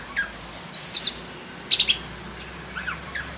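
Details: Black-breasted oriental magpie-robin kept in captivity, its varied song used to train other birds. Two loud harsh buzzy bursts stand out, with faint short whistled slurs before and after. Quiet background talk can be heard.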